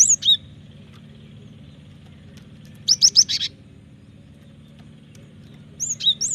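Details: Cinereous tit (gelatik batu) song meant as a lure and master for training birds: short phrases of high, sweeping whistles, including a tight burst of four rapid notes midway, over a steady low hum.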